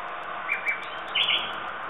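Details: Nightingale song in two short bursts: a brief whistled phrase early on, then a louder, fuller chattering flourish after a pause, against a constant hiss.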